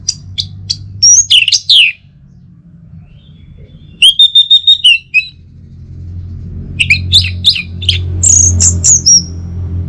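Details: Orange-headed thrush song meant to stir other birds to sing in the morning. Sharp, scratchy chips and slurred whistles open, then a run of level whistled notes, then a dense jumble of chattering notes over a low rumble.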